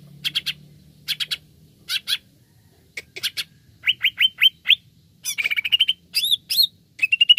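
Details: Greater green leafbird lure song meant to get other birds singing: paired chattering notes repeated about every second, then a run of rising whistled slurs, a rapid trill and ending whistles; faint low hum early.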